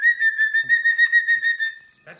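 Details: Pet cockatoo in a cage with new jingly toys, giving a steady high whistled tone held for about two seconds, ending with a brief rough noise.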